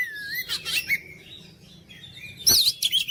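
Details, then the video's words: Short oriental magpie-robin song passage, played to goad silent magpie-robins into singing: a clear rising whistle, a scratchy burst, a sustained thin note, then a loud harsh flourish. "KICAUAN KACER MENGOYAK KACER BISU MALAS BUNYI JADI NGOTOT GACOR"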